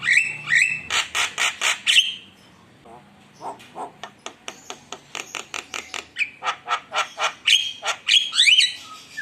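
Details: Javan myna in vigorous song as a lure for rival birds: upswept whistles and a burst of harsh rasps, then a long series of rapid dry clicks, ending in squeaky rising whistles.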